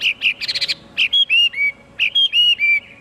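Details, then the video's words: Chinese hwamei mixing a quick rattled series of rough notes with pure drawn-out whistles, some level, some gently falling, in two short bursts. "tiếng chim hoạ mi hót cực hay"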